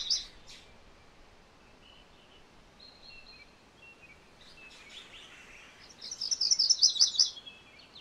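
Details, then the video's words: MacGillivray's warbler giving one ringing phrase of quick repeated high notes near the end, preceded by scattered faint chips and short whistles in a quiet natural setting. "MacGillivray's Warbler Song ! MacGillivray's Warbler Sounds ! MacGillivray's Warbler Call"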